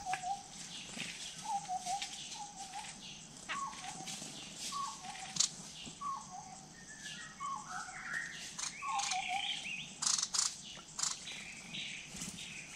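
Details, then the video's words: In Kulen National Park forest at a water pool, a Large Scimitar Babbler gives repeated low, hollow whistled notes that step up and down, while other birds chirp and twitter high in the background. "The call of the Large Scimitar Babbler"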